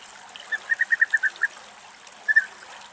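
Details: Greek European bee-eaters in August: a quick series of seven rolling, burry calls about a fifth of a second apart, then a pause and a double call, over a faint hissing background.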